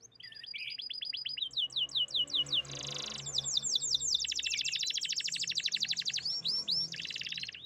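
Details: Canary song in a calm setting: fast trills and rapid repeated high sweeping notes in changing sections, with a brief buzzy burst midway, bright and continuous.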